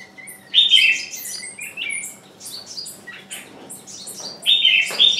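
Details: Decoy bird calling continuously to tempt wild birds, still without result; strong rasping calls near the start and end frame a rapid series of high, sliding chirps.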